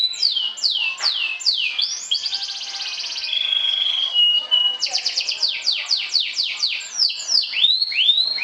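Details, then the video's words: Champion sobek canary trilling to provoke rival birds. Falling slurred notes give way to a buzzy trill, a steady held whistle, then a series of loud descending swoops and rising curls. "SUARA KENARI SOBEK SOBEK JUARA NGETRIL TAKLUKAN LAWAN, PANCING EMOSI!!!"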